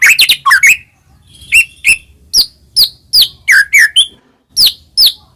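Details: White-rumped shama song played to rouse other shamas: sharp varied chirps and slurred whistles in quick pairs, loose phrases with brief pauses, and a faint low background hum.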